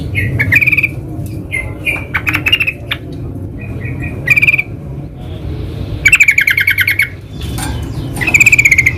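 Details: Yellow-vented bulbul (trucukan) in the wild, giving short chattering phrases and then longer fast rattling bursts of bright, buzzy repeated notes, with scattered sharp chips and a steady low background hum.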